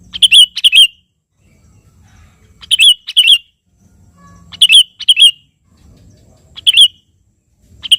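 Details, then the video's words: A sooty-headed bulbul in full song, calling a rival, played to provoke other birds into singing: crisp twin-note chirping phrases returning about every two seconds, separated by quiet pauses with a faint low hum. "suara burung KUTILANG GACOR memanggil lawan ini"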